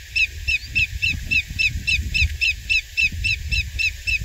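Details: A greater yellowlegs in Oregon's Coquille Valley Wildlife Area, 23 April 2021, repeats ringing whistled notes quickly and evenly, roughly three to four each second, with a low rumbling background.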